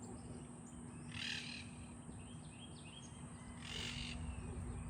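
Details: Two monk parakeets communicating in a backyard on a cloudy day give two harsh, grating squawks about two and a half seconds apart over a steady low hum and background noise.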